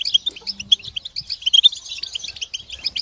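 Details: Goldfinch group twittering aimed at helping moulting goldfinches sing again; busy high chirping and tinkling trills packed tightly together, with a brief low hum early on.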